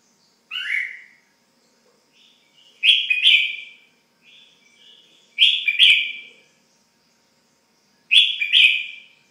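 Red-whiskered bulbul giving bright, slurred two- or three-note chirping phrases about every two and a half seconds, with softer twitters between.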